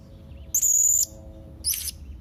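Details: Young blue-crowned hanging parrot calling rivals: one long, shrill, level whistle lasting about half a second, followed by a shorter, rougher high note, over faint background hum.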